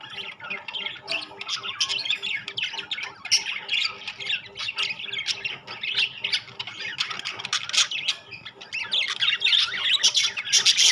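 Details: A group of rainbow and classic budgerigars keeps up a busy, scratchy chatter of rapid squawks and chirps, growing louder toward the end.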